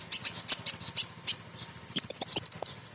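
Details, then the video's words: A female sunbird sings steadily as a lure for untrained birds. Bright, piercing high chips come first, then a quick run of rapid, slurred, descending notes, with a low mechanical hum underneath. "Kolibri Ninja BETINA Ngriwik Nyrecet Nembak Pancingan"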